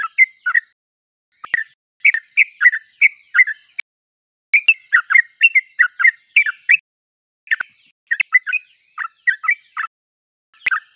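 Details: Energetic yellow-vented bulbul song: bursts of three to six bubbly, slurred chirps separated by short silences, with occasional sharp clicks between the bursts.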